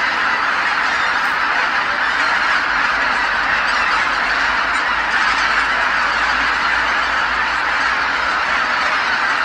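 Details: Geese returning en masse to Kabukuri-numa marsh as darkness falls after feeding; a thick, sustained din of overlapping honking calls, with a faint low rumble underneath.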